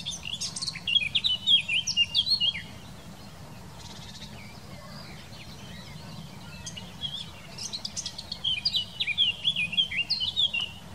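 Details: Eurasian blackcap singing in the Wittlich valley in 2018: two bursts of rich, warbling phrases with fluted whistles sliding up and down, the second burst ending in clear whistled notes, separated by a quiet pause.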